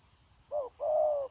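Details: Captive decoy spotted dove for trapping, 9 January 2024: a single soft cooing phrase, a short hoot followed by a longer level coo, with a continuous high thin hiss in the background.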